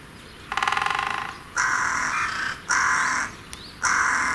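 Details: A Great spotted woodpecker drums on a tree like a machine gun, a single fast, rattling roll lasting about a second, followed by three harsh, drawn-out crow caws.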